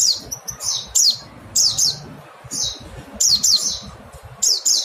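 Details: Mountain white-eye uttering loud, piercing high chirps, several in quick pairs, with brief pauses between groups.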